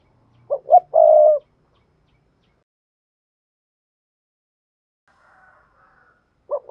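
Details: Single three-part phrase from a spotted dove's vigorous urging coo, recorded to stir decoy birds: two brief hoots and a sustained coo, followed by long silence, a faint distant note, and another phrase starting at the close.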